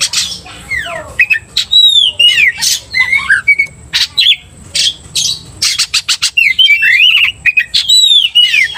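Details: Agitated-sounding 'gacor' kacer, an Oriental magpie-robin singing to anger another bird: curving downslurred whistles interleaved with many harsh raspy bursts, delivered in rapid uneven volleys.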